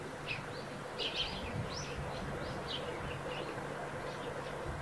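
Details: Eurasian tree sparrows near their roof nest give a loose series of clear, slightly slurred chirps, a few louder double notes at the start, then softer chips spaced out, with a low background hum.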